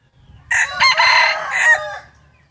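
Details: Wild chicken crowing in the morning at Hmong New Year, December 2020. A single loud, close crow lasts about one and a half seconds, broken into a few stressed syllables, over a faint low hum.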